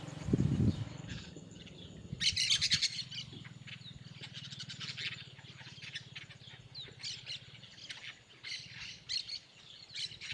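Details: Yellow-chevroned parakeets in the Bahia sertão, Brazil: after a low thump at the start, a burst of shrill squawking erupts, followed by ongoing overlapping high chattering calls over a constant low hum.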